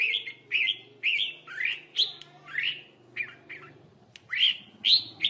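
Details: Red-whiskered bulbul singing in a contest fight: clear whistled and warbled phrases repeated roughly twice a second, some sliding upward, over a steady low hum.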